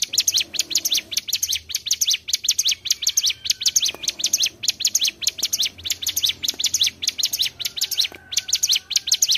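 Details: Mountain tailorbird song used as a lure for bird trapping: rapid, high, sharp chirped notes in tight repeated bursts of three or four, looping continuously with brief gaps, a faint low hum underneath.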